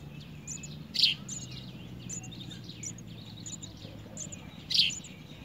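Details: Begging house sparrow chick being fed a big blue caterpillar by a parent; two loud, harsh chirps about four seconds apart stand out above faint high ticks and a steady low hum.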